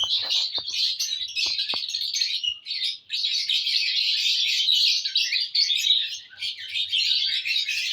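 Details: Happy lovebirds on June 1, 2022 keep up a steady stream of high, scratchy twittering and squeaks, with a few sharp taps early on.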